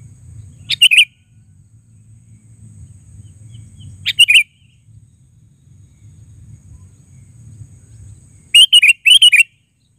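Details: Sooty-headed bulbul giving short bright chirpy phrases of two to three notes at about one, four and nine seconds, with quiet low hum between and near silence otherwise.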